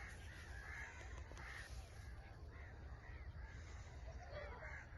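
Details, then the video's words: A pair of Rose-ringed (Indian ringneck) parakeets, one giving harsh, mid-pitched squawking notes in a steady series, about one per second, over heavy low rumbling background noise. "Indian ringneck parrot chirping sound"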